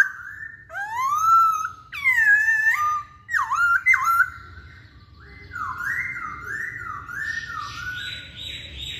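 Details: Lure song of a masked laughingthrush for drawing out other singers: rising and falling whistles, several strong scooping phrases, then a series of stepped, repeated notes, finishing with harsher, buzzier tones. Quiet low background noise.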